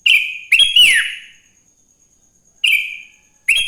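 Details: Morning song of a sooty-headed bulbul, used as a lure to get other bulbuls singing: loud, clear, warbling whistled phrases with quick slurred notes, two bursts close together, then a pause before two more phrases.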